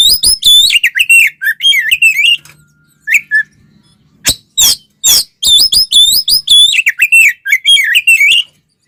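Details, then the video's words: Provocative fighting song of an Oriental magpie-robin, meant to rouse rival magpie-robins; fast varied whistled phrases with wavering slides, a pause with sharp clicks, then more rapid whistles and chatter. "SUARA BURUNG kacer gacor TARUNG konslet ini paling AMPUH buat PANCINGAN KACER agar EMOSI"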